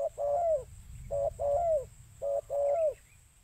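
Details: Spotted dove call for luring birds: three pairs of low mellow coos, each a short note leading into a longer bending coo, evenly spaced over a few seconds.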